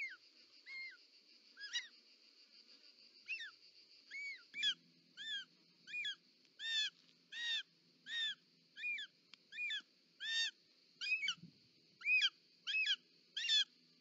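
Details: Nest of short-toed snake eagles, Parc Natural dels Ports, Catalonia, 18 July 2024, female delivering a snake: long sequence of about twenty mewing whistles, sparse at first then regular and faster, with a faint low rumble midway.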